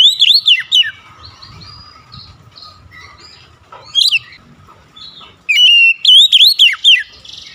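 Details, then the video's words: Oriental magpie-robin song: loud, clear whistled phrases that swoop up and down, given in two bursts separated by softer, quieter warbling. A faint steady tone runs underneath. "GACOR SEKALI MENDENGAR OCEHAN KACER INI"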